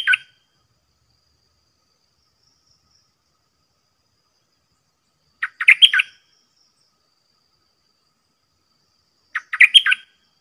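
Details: Caged Red-whiskered bulbul singing back at fearless wild birds; repeated short bursts of rich, chattering whistles, roughly every four seconds, in otherwise quiet surroundings.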